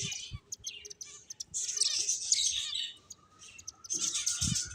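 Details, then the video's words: Finches keep up a steady stream of high, thin, overlapping chirps and twitters, a faint low tone and a few soft knocks beneath. "Beautiful Finches Chirping Sounds"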